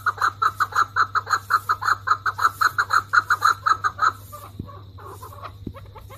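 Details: An angry male chukar partridge, Alectoris chukar, giving an alarm call while pecking the ground: a fast series of about twenty loud, even clucking notes over four seconds, then softer scattered notes and two thumps.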